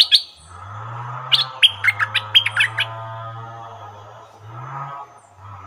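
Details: Caged stripe-throated bulbul used as a decoy bird, confronting captured wild birds, gives a quick burst of sharp, bright chirped notes lasting about one and a half seconds over a steady low hum.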